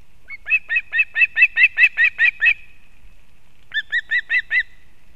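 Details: Osprey at a Kurzeme nest in Latvia, the female bringing fish to her chick on 31 August 2024; nine rapid piercing whistles, a pause of about a second, then four more clear downslurred yelps.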